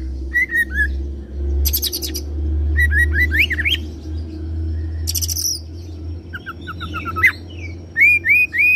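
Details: Kacer, or oriental magpie-robin, mixing cililin and serindit (blue-crowned hanging parrot) imitations: high buzzy bursts, climbing whistled slurs and repeated upswept notes over a steady low hum.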